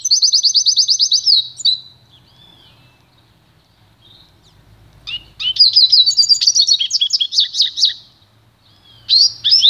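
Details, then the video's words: Goldfinch × canary hybrid (pintagol) song used for training: a quick trill of evenly repeated notes, a pause of near silence, then a longer burst of fast twittering phrases and a final short trill; faint low hum in the background. "canto puro do pintagol"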